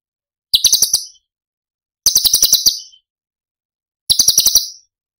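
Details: Cucak cungkok tembakan phrases from Cililin, used as masteran training material for other songbirds. Three short, piercing bursts of fast clicking notes at high pitch are separated by roughly 1.5-second silences, with no background noise.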